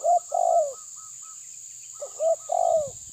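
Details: Tabir-style spotted dove pressing an opponent, two phrases of low coos, each a brief note followed by a drawn-out falling coo, light higher notes between, and a soft rustle at the end over steady hiss.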